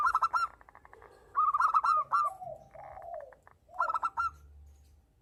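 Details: Local Zebra dove in breeding condition, responding to a female. Three loud stuttering bursts of bright notes alternate with softer, lower, drawn-out cooing sounds, over a faint hum.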